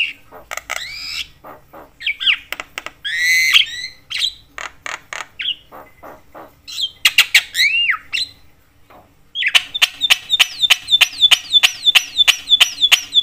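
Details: Noisy Javan myna whose calls are said to agitate every kind of myna: varied harsh squawks and whistled phrases, a brief lull, then a fast even series of sharp clipped notes to the end.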